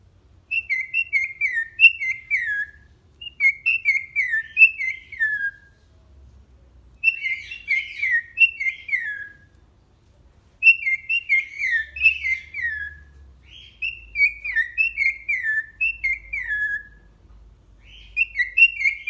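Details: A cockatiel, said to talk a lot and sing phrases such as "Pika Pikaju" and "Cadê Pokoyo", whistles a bright, repeated tune of falling and wavering notes in short bursts.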